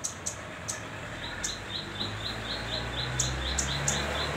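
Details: Young, hand-reared velvet-fronted nuthatch that is just learning to perch and to sing, giving short, even, high notes about three times a second over steady background noise, with some sharp clicks.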